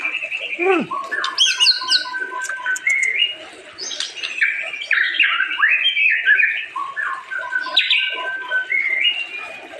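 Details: White-rumped shama in full varied song: a swooping descending whistle, then steady flute-like notes, harsh squawky bursts and rapid rising trills mixed together in a long, unbroken sequence.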